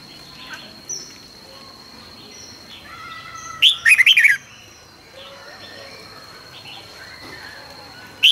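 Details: Red-whiskered bulbul morning training song, 2020: quiet faint chirps give way to one loud, fast phrase of sweet, rolling whistles, then a final sharp note, over a continuous high thin tone.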